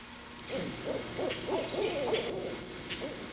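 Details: An owl, a parent with its young, gives a rhythmic nine-note hoot, about nine low hoots in three seconds, on Sanibel, Florida, while a nearby Carolina wren sings loud, high notes.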